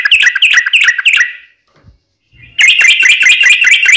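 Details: Yellow-vented bulbul fighting song in a long roll, used to make other bulbuls answer: dense rapid chattering notes, cut by a short silence, then resuming louder and faster.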